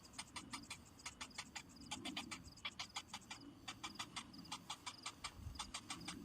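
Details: Cinnamon bittern chick, hungry and waiting while its parent brings no food, keeps up a fast series of sharp clicking ticks in irregular bursts, with a soft low rumble beneath.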